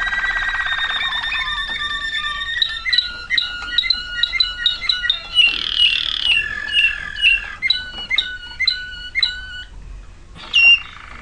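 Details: Waterslager canary song, 2009 recording: a trilled tone and slurred notes lead into a long series of crisp dripping, plinking notes in regular rolling phrases, a short pause, then a bright final burst.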